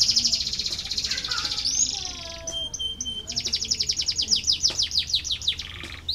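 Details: Canary singing, played to get lazy canaries singing: a high buzzy trill, a pause with a few descending notes and a thin whistle, then a long run of rapid, repeated rising chirps.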